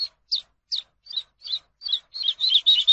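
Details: Teaching song of the Eurasian skylark for captive birds: separate high, slurred notes roughly every third of a second, accelerating and growing louder into a tight burst of warbling at the end.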